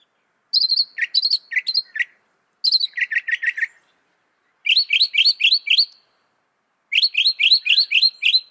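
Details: Northern mockingbird, which can mimic up to 200 sounds, singing high bright phrases in four bursts: each burst is a quick run of five to six repeated chirped notes separated by short pauses, with clean silence between bursts.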